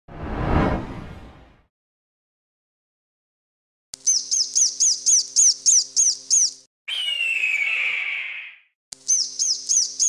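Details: Northern goshawk: a harsh low burst of noise at the start, then a fast series of high, sharp chattering notes, a drawn-out falling screech, and another rapid chattering series.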